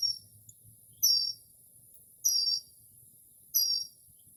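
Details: Northern mockingbird singing in stillness at night, early spring, imitating various birds: high, thin descending whistles repeated about every one and a quarter seconds, with a steady low hum beneath.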